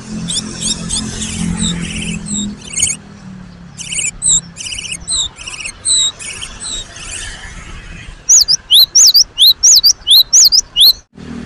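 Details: Gelatik batu song: scratchy high twittering and short ringing notes at first, then a clear run of rapid, sharply upslurred whistled pairs near the end.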